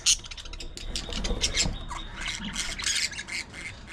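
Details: Budgerigars kept as pets chattering while playing and fighting: a loud opening squawk, then a tumbling stream of harsh high chirps and raspy notes, uneven in loudness throughout.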